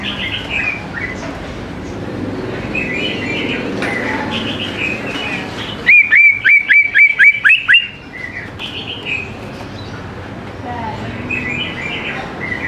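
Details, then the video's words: Young leafbirds are lured to sing with this greater green leafbird song; soft warbling leads into a burst of about eight loud, evenly spaced whistled notes over two seconds, then quieter twittering resumes. "CUCAK IJO GCOR SANGAT AMPUH BUAT PANCINGAN CUCAK IJO MUDA BAHAN LANGSUNG NYAUT IKUT GACOR"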